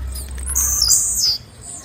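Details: A single shrill chirp from a female blue-black grassquit, a high note wavering then sliding down, with a low hum fading out.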